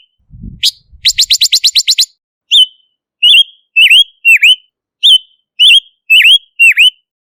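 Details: Silver-eared mesia on a clean lure recording: a quick run of eight rapid, high, clipped notes followed by a steady series of looping whistled notes that swoop down and up, repeated about once a second, with a faint low knock early on.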